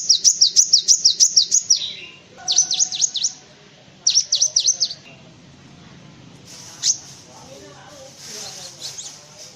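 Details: Cinereous tit song, used as a tutor recording for white-eyes and other birds: three bursts of rapid, high, sharply falling chirped notes, the first run longest. A faint single note follows, then quiet background hiss.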